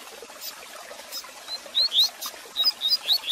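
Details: Double-collared seedeater song played to warm up a caged bird: after a second of crackling hiss, short high rising whistles appear, then a quick run of rising and falling notes near the end.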